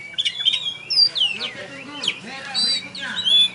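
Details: Caged oriental magpie-robin, a contest winner in Tebas, singing varied whistled phrases with sweeping upslurs and downslurs, over a low background murmur and a faint steady hum.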